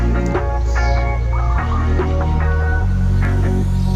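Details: Loud electronic music with a steady throbbing bass and layered tones throughout, no animal voice standing out.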